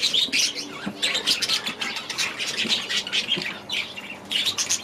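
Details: In an aviary, budgerigars let out harsh squawks among quick chirps and buzzy chatter, arriving in pulsing bursts roughly every half second.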